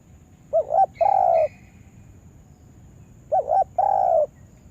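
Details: Spotted dove used as a lure bird calls two phrases, a quick wavering double note followed by a long level coo, with about three seconds of quiet between.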